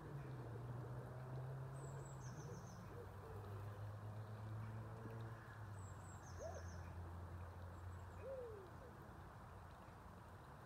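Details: Captive flock of African penguins at Birdworld, UK: low droning harmonic calls for several seconds, then a few short arched notes rising and falling, with faint high thin whistles twice and steady background noise.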